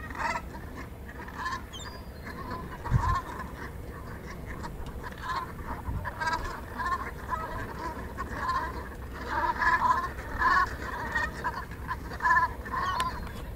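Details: A flock of Black Brant at Moddergat, Netherlands, on 15 March 2016 keeps up continuous low, throaty rolling honks, many birds overlapping with no pause, over a steady rumble of wind.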